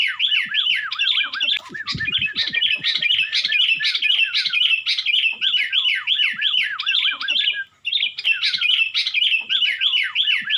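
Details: Sooty-headed bulbul in East Java, Indonesia, belting out a long insistent 'ngotot Nggaruda' song: dense chains of looping, wavering whistles delivered nearly three per second, one short break near the end, with soft rattling taps around the second second.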